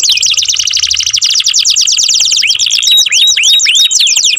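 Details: A canary sings a rapid, dense trill of high chirps, then shifts to a run of rising, curving whistled notes, loud and continuous throughout.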